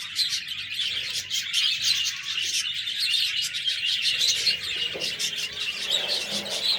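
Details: A flock of budgies chirping, busy high twittering and scratchy warbled chatter running unbroken, many short notes overlapping from several birds.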